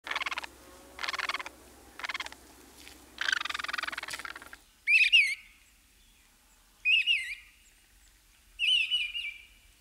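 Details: Mistle thrush recorded with a parabolic dish in a German wetland in early spring: three short, clear fluted phrases with quick rising and falling turns, about two seconds apart, preceded by four harsh, rasping bursts.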